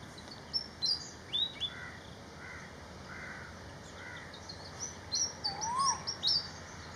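Malaysian pied fantail singing a series of high, sharp whistled notes, some rising and falling, in quick bursts, over a steady background insect hum.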